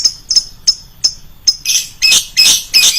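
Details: Loud lovebird lure call: five clipped high chirps spaced about a third of a second apart, then four louder, harsher screeches in fast succession.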